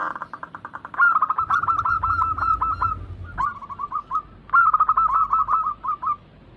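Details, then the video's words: Zebra doves (perkutut), local and Bangkok crossing birds kept as a group, used to stir other doves into singing: rapid staccato runs of short cooing notes, mid-pitched and even, in three bursts with brief pauses between, faint low rumble underneath. "Pancingan ampuh atasi burung perkutut yang sulit Gacor"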